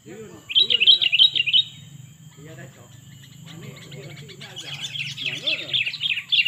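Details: Sooty-headed bulbul lure recording: rapid bursts of bright chirping notes, a run of five at the start and a longer chattering series near the end, with softer notes between, over a steady low hum and a faint high tone.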